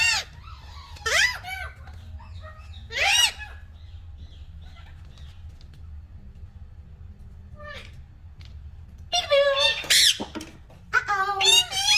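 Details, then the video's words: Green talking parrots giving loud harsh squawks at the start, then a long quiet gap with soft chatter, ending in a dense run of rapid overlapping screeches and shrill notes. "Green Talking Parrots Natural Sounds"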